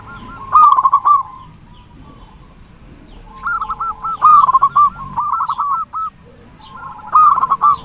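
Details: Local zebra dove with a big voice, sung as a lure for other doves: three spaced phrases of bubbling, rolling coo notes, the middle one longest, with quieter doves cooing underneath and a faint low hum.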